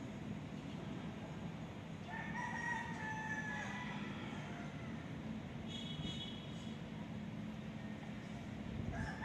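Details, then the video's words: A rooster crows, cock-a-doodle-doo: one drawn-out, harmonic crow about two seconds long, then a shorter, higher crow, over a steady low rumble of wind or distant traffic. "The sound of Cock-a-doodle-doo - เสียงไก่ขัน"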